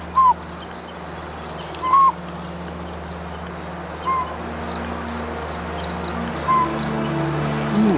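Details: Northern pygmy-owl (Glaucidium gnoma) in BC's Okanagan in spring gives single mellow whistled toots about two seconds apart, answering a whistled pygmy-owl imitation while perched way up high, over steady high ticking and low hum.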